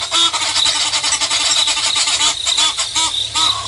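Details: Egyptian geese fighting in a double battle at Nkorho, recorded Sep 24 2022 at 5:30 AM: hoarse arched honks repeat every half second or so over a dense, buzzing insect chorus.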